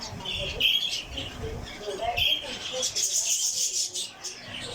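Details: During a budgie chick's hatching from its egg, Budgerigar chirps sound as short, high, scratchy notes in quick uneven bursts, with a faint murmur of voices underneath.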